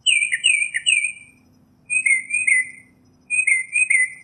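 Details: Northern mockingbird (Mimus polyglottos) song in the wild: a quick run of three warbled notes, then two longer burry phrases spaced about 1.5 seconds apart, high and clear against a quiet low background.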